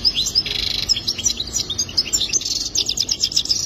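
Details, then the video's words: Goldfinch singing a song for mating: rapid, bright twittering and tinkling trills, high-pitched and dense, with short buzzy notes and quick rising slurs running nearly continuously. "اجمل تغريد حسون رائع جدا"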